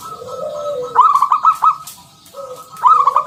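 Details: Zebra dove (perkutut), local wild bird, loud 'ngalun kung bulat' coo used as a lure for other doves: a gentle rising-falling lead note followed by a fast run of rolling bubbly coos, repeated twice.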